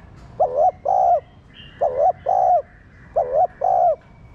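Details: Three regular double coos from a captive spotted dove meant to get other doves cooing, a quick wavering note followed by a long even one, spaced about one and a half seconds apart over quiet noise.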